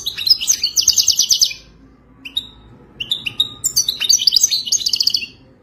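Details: Moroccan wild goldfinch with wadani-style song: a rich run of rapid twittering trills, a short gap with single clear notes, then a longer, fuller phrase of fast buzzy chirps.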